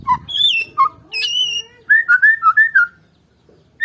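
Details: White-rumped shama of Medan stock, singing alone: drawn-out high whistles and a sustained note, then a quick run of five or six looping whistled notes.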